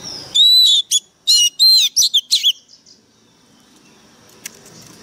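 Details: White-rumped shama singing a loud phrase of long whistles and quick down-swept notes over about two and a half seconds, then quiet with faint background chirps.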